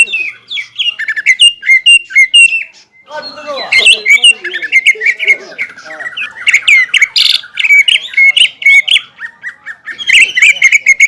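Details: Greater green leafbird, caged, singing a varied medley of sharp chirps, harsh rasping bursts and fluid whistled runs that mimic other birds, with pitch jumping between phrases.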